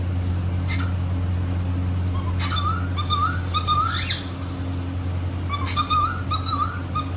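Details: Cockatiel singing happily while playing: short clicks and chirps, then a series of bouncy, rising whistled notes repeated roughly every half second, with a loud steady low hum throughout.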